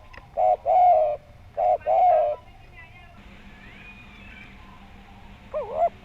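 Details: Spotted dove used as a lure to prompt other doves to call, with a rounded 'suara bulat' voice. A phrase of deep, rounded two-part coos, a quiet gap with a faint thin whistle, then a final rising coo.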